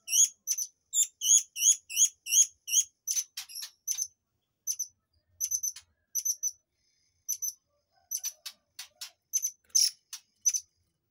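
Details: Murai air, whose song serves as tutoring for white-rumped shamas, delivers rapid high hooked notes in quick runs, then scattered sharp clicks and chips in short bursts with brief pauses.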